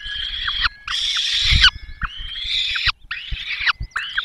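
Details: Peregrine falcon nest, Barycz Valley, 5 May 2022, male delivering a small bird, female feeding chicks; sustained harsh, wailing calls in five bursts, each ending with a downward slur, with faint low knocking underneath.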